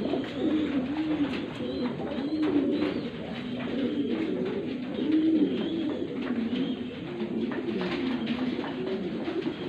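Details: Fantail pigeons in assorted colours producing continuous low, throaty, undulating coos from several birds at once, with rising-and-falling phrases repeating every second or two over a steady background hiss.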